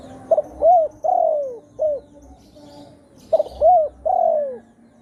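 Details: Two phrases from a spotted dove used as a trapping lure, in satu kuk or dua gayau style; each opens with a sharp short note, then rounded, drawn-out coos curving downward.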